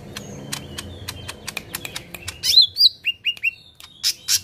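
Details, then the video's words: Lesser green leafbird in full, vigorous song with harsh "shots", meant to provoke other leafbirds: a run of dry, rapid ticking chips, then loud, sharp whistled notes and short slurred bursts, high-pitched, about every third of a second. "Cucak Ijo Mini Gacor Full Tembakan Kasar"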